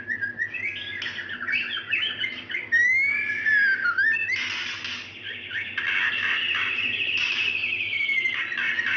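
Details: Female white-rumped shama calling a male with plaintive whimpering notes, used as a lure for males that are reluctant to sing: high whistled sweeps and rising slurred notes over dense bursts of chatter, with a steady low hum throughout.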